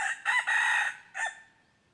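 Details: Red junglefowl crowing during wild junglefowl decoy trapping, 23 January 2022: one short, loud, harsh crow in three bursts, a rasping opening, a sustained middle and a clipped final note, with a quiet background.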